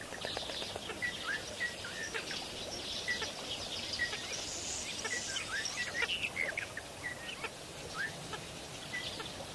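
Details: Continuous flock chatter from lesser flamingos gathered at Kamfers Dam, Kimberly, South Africa: many short, clipped, mid-pitched calls overlapping constantly, with a soft hiss of background noise rising midway.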